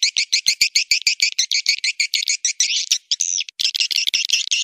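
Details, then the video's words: Swiftlet calls aimed at bringing birds into a busy swiftlet house: a fast, steady string of short high chirps, about five a second, broken by a brief buzzy rattle. "Suara panggil burung walet jernih"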